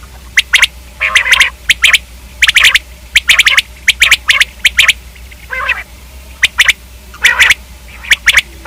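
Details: Quick triplets of dry, clicking notes from a common quail, repeated more than once a second, with hoarse, rasping calls mixed in between the bursts.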